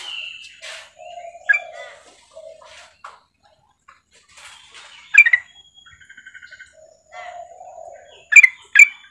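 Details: A female sooty-headed bulbul calls the male with quick, bubbly, chattering notes. Short rising whistles and a rapid run of evenly spaced pips are mixed among sharp bright accents.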